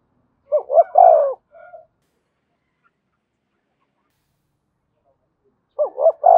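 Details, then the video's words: Decoy spotted dove cooing to rouse a freshly trapped bird: one soft phrase of two quick notes and a drawn-out coo, a brief faint note, long silence, then another phrase beginning. "Tiếng chim cu gáy kích bổi nhanh nổi, cu gáy mồi luyện bổi thúc sung nhất hiện nay"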